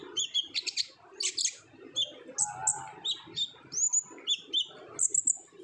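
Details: Energetic olive-backed sunbird song played to coax untrained birds into singing: clusters of high sharp chirps and thin rising whistles in rapid, uneven runs, with a faint low murmur.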